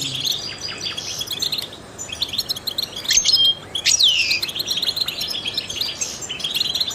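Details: European goldfinch, trained to stimulate other songbirds, singing rapid tinkling twitters interrupted by a clear pure whistle and a long downward-slurred note, then resuming bubbly chatter.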